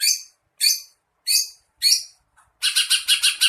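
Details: Cucak ijo (greater green leafbird) masteran song with filler phrases copied from a sparrow, a lovebird and a kingfisher. Four harsh, high, downslurred notes spaced about half a second apart, then a fast run of buzzy chattering notes.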